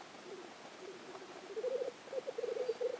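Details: Black grouse at the lek in Innvik, 2014: faint murmurs at first, then clearer, louder pulsed bubbling cooing in the final second and a half.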